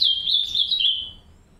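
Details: An aviary pair of green-winged saltators caring for three chicks; a brief high, wavering twitter that slides slightly downward and fades out within about a second.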